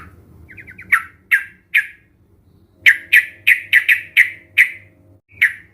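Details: Sooty-headed bulbul sounds used to stimulate a reluctant bird to sing; a few quick faint notes, then loud harsh downward squawks repeated irregularly about twice a second, over a low hum.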